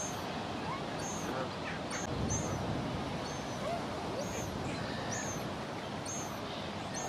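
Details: Two young lesser black-backed gulls (Larus fuscus) begging their parents for food, without result, give thin, high, whistled peeps, each slurring down, about once a second, over a steady rushing background noise.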